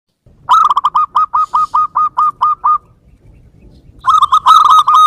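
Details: Local zebra dove call used as a new-version lure sound for trapping: a fast series of about ten short, harsh, evenly spaced cooing notes, a pause with a low background rumble, then a denser burst of the same notes.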